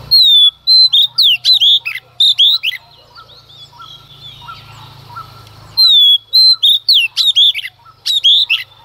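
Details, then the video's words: Female Oriental magpie-robin in full early-morning song, singing to provoke males. Loud whistled phrases with sliding and rising notes come in rapid bursts, a few quieter seconds of soft chirps, then the loud whistling resumes. "Choè than mái hót kích trống hót căng sáng sớm"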